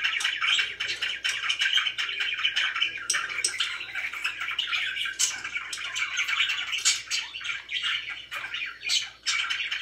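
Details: Happy pet budgies fill the air with constant rapid chirping and scratchy warbling, many notes overlapping, over a faint low steady hum.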